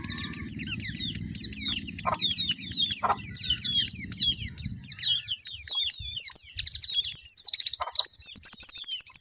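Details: High, rapid white-eye twittering that runs on for several seconds, notes slurred and tightly packed, with a low background hum fading midway.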